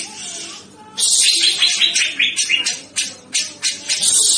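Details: Cucak jenggot, the grey-cheeked bulbul, a male singing vigorously: after a second of quiet, a torrent of high, rapid twittering and scratchy notes breaks into short repeated bursts, roughly two to three per second, bright and piercing.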